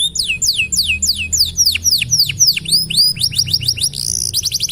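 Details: Canary in full, continuous song with long rolls, offered as a tutor for training other birds; rapid series of repeated high downward-sweeping whistles, several per second, shifting into faster trilled phrases, over a low steady hum.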